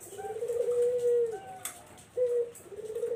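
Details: Barbary dove kept as a lure for zebra doves, giving loud, low, purring coos, each long note sagging at the end, a shorter rise-and-fall coo following after a brief pause.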